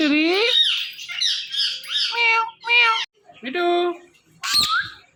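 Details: Talking pet Indian ringneck parakeet producing a string of nasal mimicked syllables, some drawn out and some clipped, closing with a sharp squawk.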